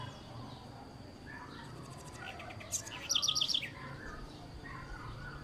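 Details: A house wren (Troglodytes musculus) gives a quick burst of high, bright notes, about six in under a second, over a steady background hiss.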